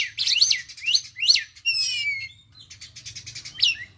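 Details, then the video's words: Young Oriental magpie-robin, just past its spotted juvenile stage, practising the konslet song style: loud sharp notes sweeping up and down, a buzzy rippling phrase, then softer scattered notes, with a faint low hum beneath. "Kacer Lepas Trotol belajar KONSLET. Tembakan Mewah"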